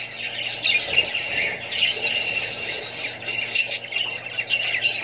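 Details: Australian budgies and babies chatter together in a thick mix of squeaky whistles and scratchy squawks, loudness pulsing every second or so above a steady low hum.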